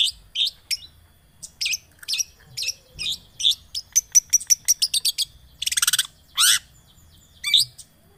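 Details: Shrike lure song meant to rouse a silent long-tailed shrike: mixed harsh chirps speed into a fast train of short ticking notes, then a buzzy rattle, a broad harsh rasp and a final scratchy note.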